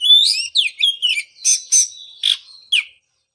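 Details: Oriental magpie-robin song meant to restart singing after moult: clear whistled slurs falling and rising, followed by a few rasping bursts and a sustained thin whistle, then silence.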